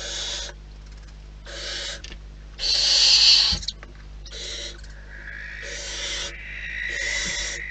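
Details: Wild barn owls at their nest: a series of harsh, breathy hissing bursts, each about half a second to a second long, one much louder than the rest, over a steady low electrical hum.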